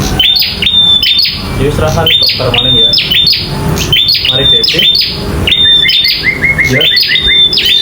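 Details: Bar-winged prinia in a fighting bout, singing actively. Dense, nearly continuous high whistles and snapping clicks, with lower chattering notes and a few short descending whistles near the end, over noisy background.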